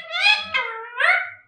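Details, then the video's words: Alexandrine parakeets in a home being trained to talk, saying phrases such as "Jai Shri Ram" and "Mithu Bete"; two rich harmonic, speech-like bursts in quick succession, the second rising, loud and close. "Talking Parrot"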